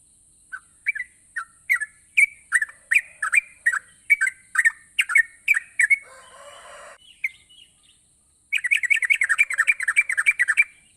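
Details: Energetic yellow-vented bulbul song meant to spur reluctant birds to sing: steady run of slurred chirping couplets, a brief buzzy noisy burst midway, then a faster, denser stream of notes, over a constant high whine.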